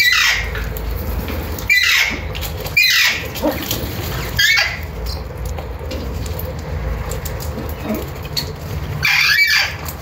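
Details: Alexandrine parakeet (Psittacula eupatria) giving loud, harsh screeching calls in short bursts roughly every one to two seconds, over a steady background hum.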